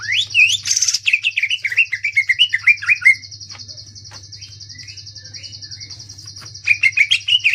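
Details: Greater green leafbird delivering dense, rough ngentrok-style shot phrases: a three-second rush of bent whistles, a quiet stretch with a few soft notes, then the fast run resumes, all over a continuous high buzz and low hum.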